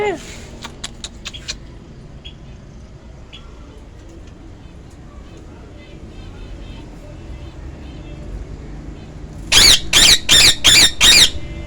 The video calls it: Ringneck Parrot Talking